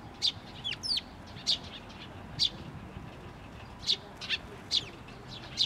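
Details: A chick calling from atop a post before a parent bird returns, recorded 16 May 2023 at a Tenmangu shrine in Japan; sharp high chirps, single and paired, repeat irregularly over steady low background noise.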